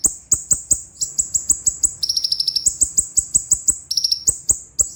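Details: A sunbird (konin or kolibri ninja) sings a training or master song of very high, sharp chips, about four or five a second, broken by fast rolling trills a little lower in pitch.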